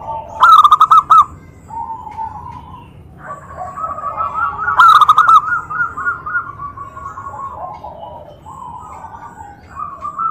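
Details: Zebra dove whose call sets other doves answering immediately. Two loud bursts of rapid, stuttering coos come about four seconds apart, surrounded by a chorus of softer, overlapping dove calls.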